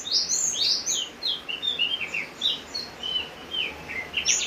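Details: A Javan grey-throated white-eye sings energetically while it rains, loud high twittering at the start, then a chain of quick slurred whistles fading toward the end, rain hissing steadily underneath.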